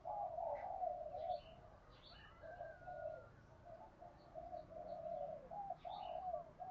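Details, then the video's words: Spotted dove, 'giọng thổ pha đồng' voice, delivering a rhythmic series of mellow low coos, some stretched and some clipped, over faint twittering of other small birds. "cu gáy giọng thổ pha đồng"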